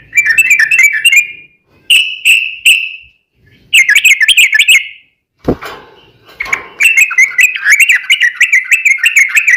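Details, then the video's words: Lure recording of an active Yellow-vented bulbul in long 'ropel' fighting song; fast trilled phrases of rippling notes in several bursts, interrupted midway by a sharp knock before a long rapid run. "trucukan gacor TARUNG ROPEL ini buat pancingan trucukan agar bunyi"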